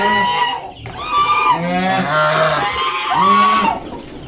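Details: A protective mother swan with five just-hatched cygnets sounds off at an intruder: a short honk, a pause, then sustained nasal honking that wavers in pitch and ends with a final firm note.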